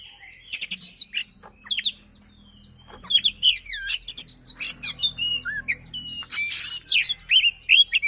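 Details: White-rumped shama in fast, tightly packed song, mixing looping whistles, sharp chips and a brief harsh burst, with a soft low hum and a faint murmur of background sound.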